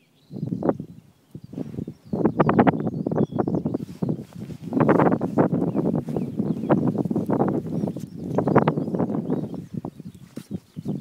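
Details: Black grouse in the Eastern Ore Mountains (Krušné hory), 3 April 2016, giving low, rough, pulsing bursts in dense clusters every second or two, with brief gaps between bouts.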